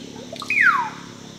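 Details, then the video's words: Russet-backed oropendola during a bowing display at Panguana Reserve, Huánuco Region, Peru: a few soft liquid gurgles, then one loud, fluid whistle sliding steeply downward, lasting under half a second. "Russet-backed oropendola (Psarocolius angustifrons) bowing display"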